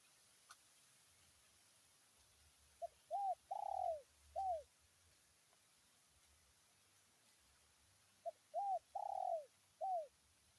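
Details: Spotted dove calling a rival in "tarik akar" style: two spaced coo phrases, each a short note followed by three soft rounded coos, the middle one longer and fuller, over quiet low background rumble.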